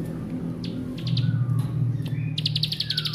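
A Bar-winged prinia gives scattered high chirps, then a rapid, buzzy run of clicking notes in its bren style, over a steady low hum.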